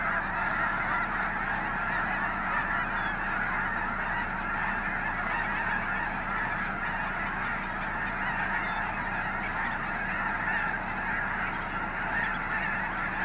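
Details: Large flock of migrating Snow Geese at Gray Lodge Wildlife Area in 2022, calling nonstop in a dense wall of overlapping high, barking honks with no pause.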